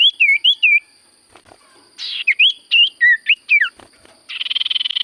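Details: Common iora song: looping whistled notes, a rasping burst, then lively up-and-down whistles, ending with a buzzy rapid rattle.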